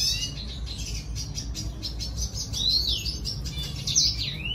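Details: Red siskin courting song to lure a female: a steady high twitter with thin sliding whistles, rising and falling sweeps near the end, over a soft continuous low hum.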